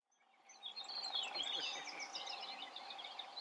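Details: Gray catbird singing while perched out in the open: a rambling run of quick, varied chirps, squeaks and warbled notes at high pitch, over a steady low hum of background noise.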